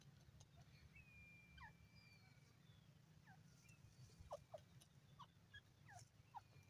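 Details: A pair of grey francolins calling: faint, short falling notes in quick pairs and triplets, repeating every second or so, over a steady low rumble with a thin distant whistle.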